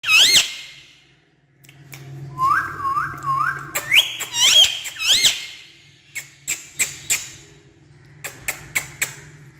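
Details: Talking parrot hopping on a stair indoors, giving a rising squeaky note, then a run of three looping whistles near one pitch and higher swooping whistles, followed by sharp clicks or taps, likely from its jumping.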